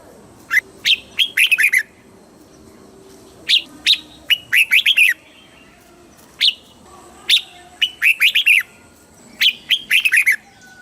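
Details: Southern master-style song of a caged red-whiskered bulbul in Thailand, meant to rouse birds and tutor chicks. Four brisk phrases of quick whistled notes, each ending in a tumbling flourish, come roughly every two and a half to three seconds.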